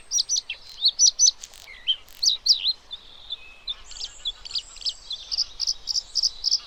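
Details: Bluethroat giving a varied, fast song of high chirps, twangy notes and buzzy trills, with repeated ringing notes toward the end; mimicry-like phrases follow one another without pause.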